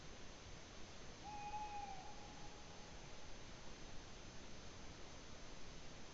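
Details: Tawny owl calling in Latvia on 8 May 2017: one clear, steady low hoot lasting under a second, followed by a faint, drawn-out wavering note, all over a steady background hiss.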